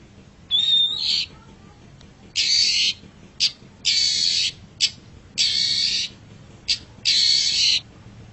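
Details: Long-tailed shrike (cendet) from a masteran tutor recording: long, loud, harsh screeching notes, each under a second, separated by brief pauses, with one opening note carrying a clear whistle.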